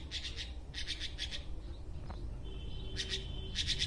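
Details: A red-billed blue magpie singing on a tree gives harsh, scratchy high notes in quick clusters of two or three, then a thin sustained whistle, over a steady low rumble.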